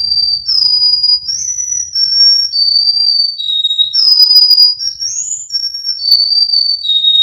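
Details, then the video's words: Russian canary from Miami, Florida delivering long, pure flute-like whistles, some swooping up or down, held notes flowing one into the next with hardly a break. "Canary Singing Birds sounds | Melodies Russian Canary Bird Sounds"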